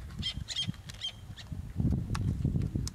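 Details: Black-naped terns breeding on reef rocks at Ishigaki Island, Okinawa, Japan give a rapid cluster of harsh, high clipped notes in the first second, then a loud low rumble with only scattered faint notes.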